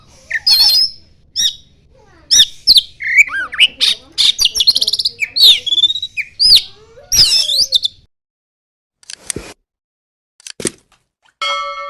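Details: Oriental magpie-robin singing with mimicry of the common iora. Loud, varied bursts of sharp, high whistles, rapid trills and buzzy chirps run almost nonstop for eight seconds, followed by scattered short notes and a rattling figure.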